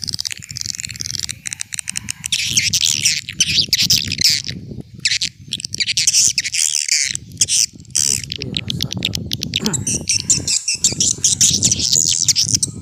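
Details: Old-style swiftlet call used to lure swiftlets: continuous high twittering and rasping chirps over a steady, loud low rumbling noise throughout.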